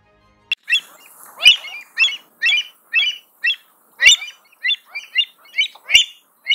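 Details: American avocet (Recurvirostra americana) giving sharp, loud, high 'kleep' notes, about eleven in six seconds at an uneven pace, some doubled, with quiet gaps between them.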